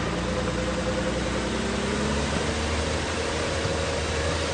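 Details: A vehicle engine idles steadily with a low droning hum and rumble throughout, and no animal calls are heard.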